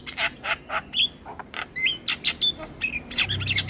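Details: Master recording of an Asian pied starling meant to make kept starlings sing more: a rapid run of harsh chattering notes about five per second, broken by short clear upslurred whistles.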